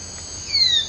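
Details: A single thin, high whistled note from a male wire-tailed manakin (Pipra filicauda), hopping off a branch and flying back with leaves in its beak, sliding gently downward over a fraction of a second, against a faint background hiss.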